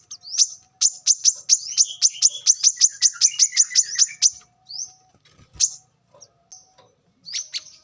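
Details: Wild brown-throated sunbird, recorded as lure audio: rising whistles open a rapid series of sharp high chips over about four seconds, with a softer twittering note beneath, then scattered single notes.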